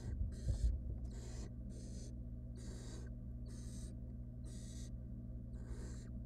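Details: Wild barn owl nestlings in a monitored nest box as the female brings a rodent, giving harsh, breathy hissing screeches, about seven bursts in quick succession over a steady low electrical hum.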